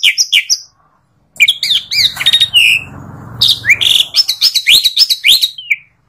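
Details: Asian pied starling song: varied whistled and chattering notes, rising and falling, in bursts around a second-long gap, with harsh rattling phrases in the middle.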